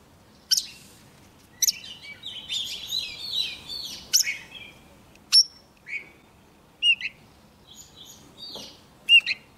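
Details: Young Oriental magpie-robin singing vigorously as a wild bird comes near: varied bursts of clear whistles, chattering notes and sharp high chips, separated by short pauses about every second, over a quiet background.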